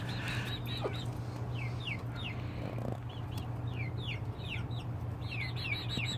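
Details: Chicks roosting at night, several perching on their mother hen, giving sharp downward-sliding peeps singly and in short bursts, with a steady low hum underneath.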